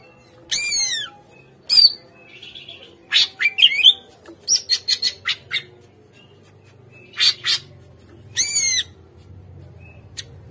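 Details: Greater green leafbird song played as a lure to make captive birds respond and sing: sharp descending slurred whistles and buzzy notes in separate bursts, with quick chattering phrases between, over a faint low hum.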